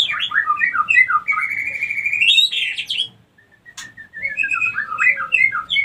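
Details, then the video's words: White-rumped shama female calling as a breeding lure for other females: fast jumbled whistled notes leading into a long rising buzzy trill, a near-silent pause with one sharp click, then renewed bouncing whistles. "pancingan murai batu betina kurang birahi auto naik birahi ngleper minta kawin"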